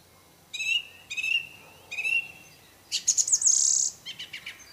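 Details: Wild orange-banded thrush isian song: three harsh harmonic notes a half second apart, then a dense, loud, high-pitched rattling trill, closing with softer repeated chips.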